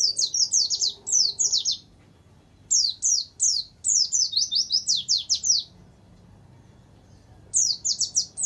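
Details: Warbling white-eye song on a tutor recording with canary-style filled-in phrases: bursts of high, rapid downslurred notes in quick runs, pausing briefly between phrases, with a faint low hum beneath.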